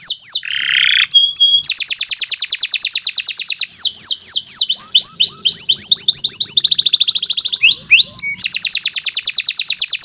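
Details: Lively canary singing as a training model for young or silent canaries: long rapid series of high descending whistled sweeps, mixed with buzzy rolls and brief warbled phrases, loud and continuous.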